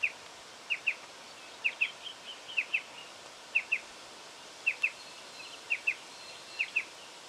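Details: High, sharp double notes from a striated pardalote in Victoria, Australia, October 2011, evenly repeated about once a second, eight pairs in all, over a quiet steady hiss.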